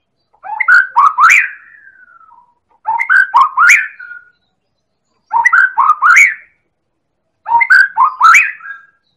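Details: White-rumped shama, Medan type, in a lure recording for provoking song in other birds: four near-identical phrases of clicking, rising whistled notes, repeated about every two seconds.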